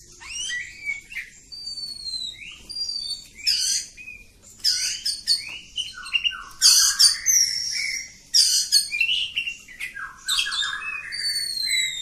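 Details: Kampung oriental magpie-robin delivering a long ngacor song, mixing clear descending whistles, rising slurs and scratchy chattering bursts in an unbroken varied stream.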